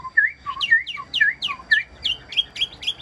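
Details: Caged Chinese hwamei singing a fast run of clear whistled notes, each a quick swoop up or down, repeated about twice a second and climbing gradually higher through the phrase.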